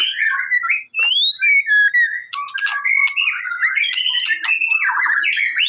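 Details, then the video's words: White-rumped shama singing to provoke a response: upward-sweeping clear whistles, then a fast stream of warbled and buzzy phrases punctuated by sharp clicks. "MURAI BATU MALES BUNYI!!! CUMA BUTUH 5 DETIK LANGSUNG RESPON!!!"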